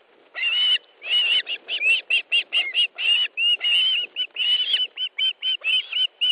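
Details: Ospreys at a nest in Estonia during an afternoon fish delivery, August 2013: excited whistled yelps build into a rapid sequence of short, evenly pitched piping notes.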